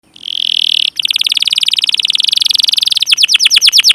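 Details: Domestic canary in long, rolling song used to stimulate other canaries to sing: a sustained buzzy trill, then a rapid rattling roll of repeated notes, ending in loud whistled down-slurred cheeps.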